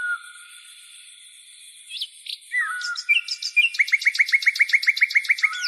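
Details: Birds singing to greet the dawn: a sliding whistle, then a fast series of short downslurred notes repeated about four times a second, over steady high-pitched ringing tones.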